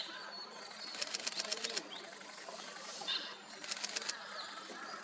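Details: Rufous-vented tit (Periparus rubidiventris) in Srinagar, Kashmir, India, in January 2023, giving two quick bursts of dry, high ticking notes, about eight a second, over a busy background of faint whistles from other birds.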